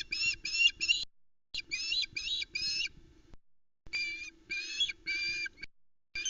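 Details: Female osprey calling at the Loch Arkaig nest as her mate brings the day's second fish; clusters of two to three harsh, whistled shrieks separated by short silences.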